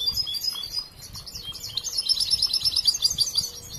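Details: European goldfinch, young and still in training, gives a short high twittering phrase ending in a bright rapid trill of repeated ringing notes.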